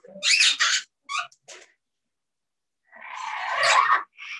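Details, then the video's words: Captive parrots at a bird safehouse, said to use English words with each other; two loud rasping notes and a few clipped calls, a pause, then a drawn-out hoarse, voice-like phrase. "Talk to the Parrots"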